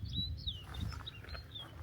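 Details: Snow bunting in breeding plumage singing on a roof near the funicular on Cairngorm mountain, Scottish Highlands, sunny morning: a brief phrase of clear, high whistled notes, some sliding downward, over a steady low mechanical rumble.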